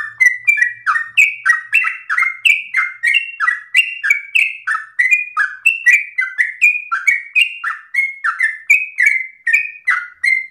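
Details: Loud yellow-vented bulbul song, forceful and long-breathed, given as an easy model for other birds: fast-paced chattering whistled phrases with sharp onsets and slurred tails, pouring out without a break; faint low clicks near the start.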